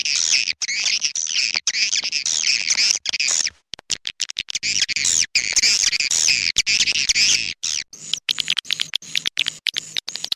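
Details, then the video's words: Edible-nest swiftlet calls used to attract birds to nest houses, clop tanjung type: bursts of high warbling twitter broken by abrupt gaps and clicks, ending in short rapid repeated chirps. "Suara panggil burung walet clop tanjung original"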